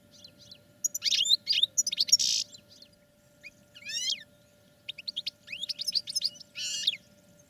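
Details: Cage-trained European goldfinches sing a busy, tinkling stream of high chirps and swept notes, with a downward-sliding trill in the middle and a closing buzzy flourish.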